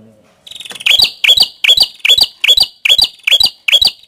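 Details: Prinia known locally as prenjak kepala merah: a soft buzzy lead-in, then sharp loud chipping notes with a high metallic ring, repeated steadily about twice a second in a quiet setting.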